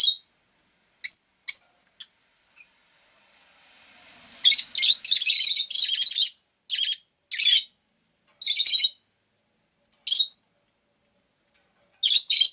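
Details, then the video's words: Pet rosy-faced lovebird giving sharp, high chirps singly and in pairs, then a dense run of harsh, buzzy chirps in the middle, with more scattered chirps toward the end; no other sounds clear. "Lovebird Chirping Sounds"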